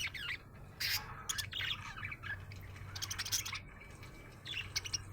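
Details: Happy budgerigar giving scattered scratchy chirps and sharp clicks, sparse bursts with gaps, steady low hum in the background.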